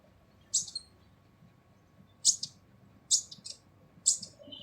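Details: Kolibri ninja sunbird, harsh song used as a training recording for other songbirds: four short, sharp, very high chirps spaced about a second apart over a faint low hum.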